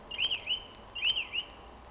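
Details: Common blackbird singing an evening spring song on 26 March 2010: two short phrases of clear, arched whistled notes, the second repeating the first after a brief pause, over faint background hiss.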